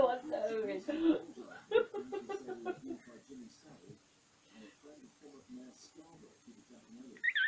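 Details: Caged pet African grey parrot babbling during its usual bedtime routine of settling down: soft, varied chattering and mumbling notes, irregular and speech-like, quieter midway, with a brief higher whistle at the end.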